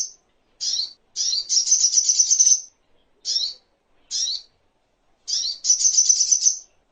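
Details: Crimson sunbird (sogok ontong) song used as a master recording for training songbirds and as therapy for birds: high, thin chirps and fast buzzy trills in short bursts, with brief silent gaps between phrases.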